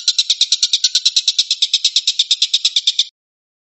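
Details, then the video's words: A tengkek buto, the stork-billed kingfisher, gives a burst of 'tembakan' rapid-fire song: quick, rough, rattling pulses for three seconds before it falls silent. "kicau tembakan burung tengkek buto"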